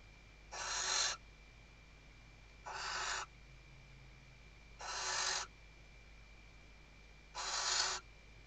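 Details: Western barn owl female stuffing the nest and calling the male, webcam at Riet Vell Nature Reserve, Tarragona, Spain, 2023: four breathy, noisy screeches of equal length, about two seconds apart, steady background hum.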